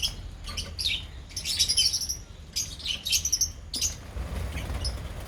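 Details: Lovebirds in a colony give scattered shrill chirps and short chattering bursts, sparser than a full chorus, with a low rumbling background.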